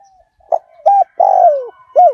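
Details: Spotted dove decoy call in the fierce-strain 'Liu Tan' style, used to draw wild doves in quickly. One four-note phrase: a short coo, a flat coo, a long falling coo, then a final clipped coo. The background is quiet.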